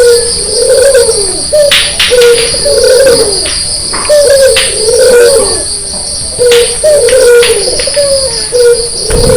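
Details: Early-morning white Barbary dove with red eyes, calling persistently as if to wake sleepers: low, soft coos repeated in regular phrases of a few notes, over a constant shrill insect drone.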